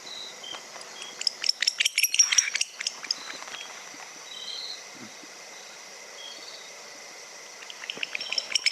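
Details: Barn Owl twittering vocalization, rapid high clicking twitters in uneven bursts that fade and return over a faint insect-like hum; speaker unsure but has heard the twittering may be echolocation used while flying.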